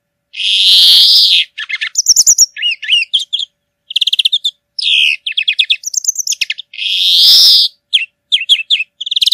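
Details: Greenfinch, Chloris chloris, singing outdoors: two long drawn-out nasal wheezes separate fast bouts of jingling trills and twitters.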